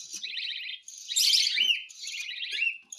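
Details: Cockatiel during hand-feeding: a near-continuous, rapidly pulsed raspy buzz, loudest in the middle, with a short whistled slide near the end.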